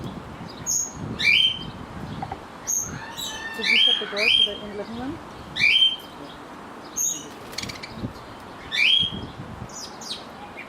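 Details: Loose pet budgerigars outdoors during an attempt to catch a lost budgie, giving sharp rising chirps in short bursts every second or two, with a person speaking quietly in the background.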